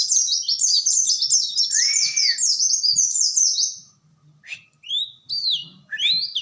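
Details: Oriental white-eye giving a rapid high twittering run with one lower whistle, then a pause followed by a few separate upslurred notes.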